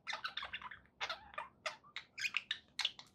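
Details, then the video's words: Budgies kept as pets give a busy, rasping chatter of clicks, squeaks and short warbled notes over a noisy room background. "budgie sounds"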